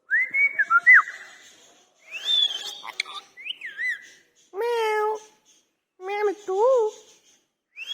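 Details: Indian ringneck parakeet, said to be angry, mixes looping whistles and a sharp click with drawn-out, wavering syllables that sound like mimicked words, in several short phrases.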